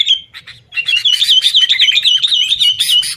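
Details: Sooty-headed bulbul fighting chatter played as a lure for caged bulbuls; a few clear opening whistles, then sustained rapid warbling twitter to the end.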